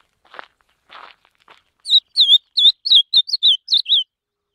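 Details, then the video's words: Ultramarine grosbeak singing while held in the hand: a few soft rustles of handling, then a rapid run of about eight clear whistled notes, each sliding downward at much the same high pitch. "Reina mora cantando en la mano"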